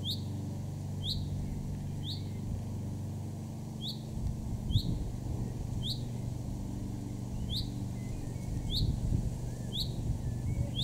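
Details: A male chaffinch in a garden in Weener, East Frisia, northwest Germany, in June 2024, gives a sharp, bright 'pink' note about once a second, a dozen times in all, over a steady low rumble of distant traffic.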